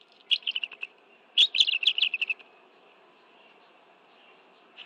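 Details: Bald eagles share fish at their nest, National Arboretum, Washington, D.C., 11 June 2017, early afternoon; two quick bursts of high, stuttering chirps, about seven notes each, followed by a near-silent stretch.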